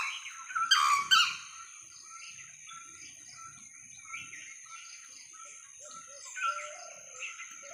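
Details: Sri Lankan junglefowl (Gallus lafayettii), Sri Lanka's national bird, gives one loud, harsh, two-part call near the start, then a steady high insect drone and scattered soft chirps from other small birds.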